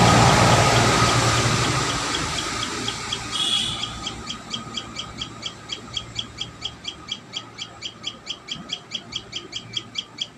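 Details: Common tailorbird at the nest; after a few seconds of rushing noise and one brief louder note, crisp high chips start, repeating regularly about two and a half times per second and growing clearer.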